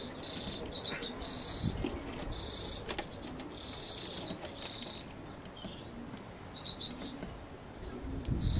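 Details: Male European greenfinches of colour mutations, recorded in 2012, sing buzzy, wheezing bursts and short twitters, repeated roughly every second, over a low hum and some faint rustling.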